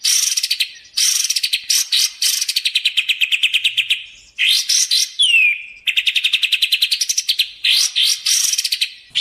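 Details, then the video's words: For luring and training birds, a sooty-headed bulbul gives long fast chattering trills of rapid repeated notes, broken by harsh bursts and one clear descending whistle. "suara burung kapas tembak | suara pikat kapas tembak!!! cocok buat pikat dan masteran"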